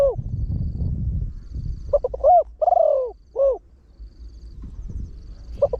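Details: Trained spotted dove with a large voice, used to call in wild doves, crowing in the quick 'khan yon 1 kuk' style; low rumbling noise opens, then a phrase of stuttered coos, a drawn falling coo and a closing note.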